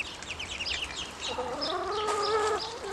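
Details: Ducklings, now grown, grow noisier when hungry: rapid high peeps at the start give way to a longer wavering, nasal call over continuous background hum.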